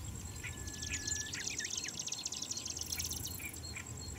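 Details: A perched Marsh Grassbird in Chiba, Japan, on 2 July 2017, apparently reacting to a nearby rival's song, sings a fast, scratchy chatter of rapid high notes with a thin drawn-out whistle near the start, over a steady low rumble.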